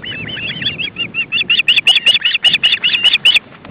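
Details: Ospreys at their nest with three young, a parent arriving with fish on a windy day; a long run of clipped, high whistled chirps, about two or three a second, growing louder midway, over low wind noise.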